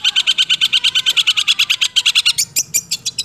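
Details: Six-month-old long-tailed shrike in a fast 'roll speed' song with 'nembak' bursts: a rapid, steady train of high, sharp chattering notes about three per second, then a few louder, uneven piercing notes near the end.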